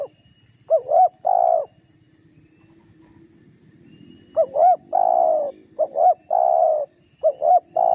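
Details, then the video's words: Spotted dove provoking a rival, calling hard: three loud coo phrases, each two short upswept notes followed by a sustained rolling coo, spaced a few seconds apart, with a soft insect hum beneath. "Suara tekukur GACOR merayu lawan agar terpancing emosi"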